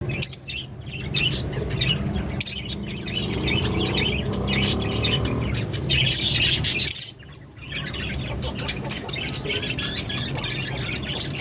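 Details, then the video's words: A pair of green Fischer's lovebirds chirping: dense, high, scratchy twitters with a few sharp squeaks and a brief pause near the seventh second, over a low background hum. "Lovebird Singing and Chirping Sounds- Green Fischer Pair"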